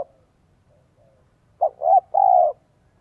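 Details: Spotted dove in 'giọng son 1 cốt lỡ' voice, used to lure wild doves. After quiet, one phrase is heard: a short coo, a rising middle note, then a long, level, sustained coo.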